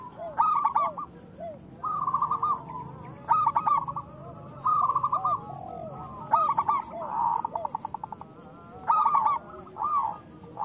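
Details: Local zebra doves singing, meant as a lure for reluctant doves: bursts of rolling, stuttered cooing notes about every one and a half seconds, with quieter lower curved coos in between.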